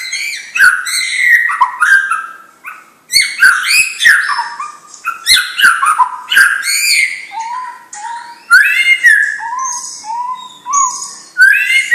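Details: White-rumped shama, a young bird bred from champions, pouring out a varied song of clear whistles, clipped chips and sharp clicks, with short pauses, then a run of lower repeated whistled notes near the end.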